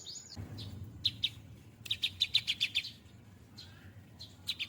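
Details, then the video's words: Hand-reared cinereous tit, now nearly adult, in full-fill singing: scattered sharp high chips, then a quick run of about seven bright ticking notes, with faint low background hum. "burung Gelatik batu full isian"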